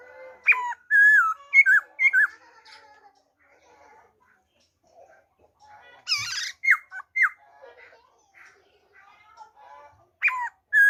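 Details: Wild-type song of a black-throated laughingthrush, recorded 26 December 2020: loud clear whistled notes that slide and bend, given in short bursts separated by pauses, mixed with softer chattering and a harsh rasping burst midway.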